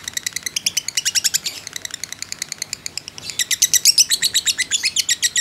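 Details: Fighter lovebird's ngekek chatter, played as masteran lure; two bursts of quick, clipped, high buzzy notes, about four per second, with a short quieter gap midway.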